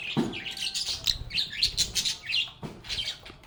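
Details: Lovebirds singing and chatting: quick bursts of sharp, high chirps and twittering notes in fast uneven succession, with a soft thud at the start and another near the end.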